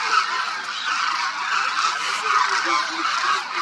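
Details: Winter flock of thousands of Demoiselle Cranes at Khichan village, Phalodi, Jodhpur district, India: constant overlapping honks merge into a thick, steady roar, with short lower calls rising out now and then.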